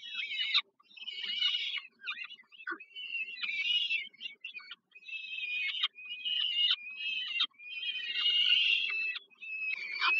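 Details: Peregrine falcon chicks at the Żerań heat plant in Warsaw, Poland, on 15 July 2022, being fed dinner by their mother: harsh, rasping screams in long overlapping bursts with short gaps.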